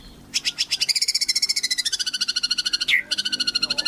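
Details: White-rumped shama in full gacor song, used to coax other shamas into singing: a long, unbroken, rapid rattling trill that slowly slides lower, broken briefly by one sharp upward-then-downward swoop.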